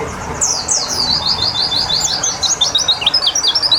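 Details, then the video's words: White-eye during water therapy meant to bring on full song: high, rapid chirped notes in quick runs, steady hiss of running water beneath. "Terapi Air Untuk Burung Pleci biar Cepet Nembak"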